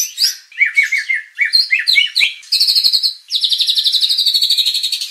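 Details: White-rumped shama song used to agitate contest birds into showing their repertoire: varied whistled and chipping phrases followed by two long, fast, steady rattling trills.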